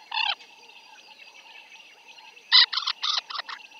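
African jacana giving one harsh, nasal squawk, then a burst of four rapid rasping notes a couple of seconds later, over a steady background insect drone.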